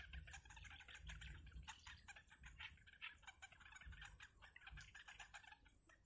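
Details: Yellow bittern chicks in a wild nest, mother feeding them: rapid scratchy ticking notes in uneven clusters with short gaps, plus soft low rustles and a constant hiss.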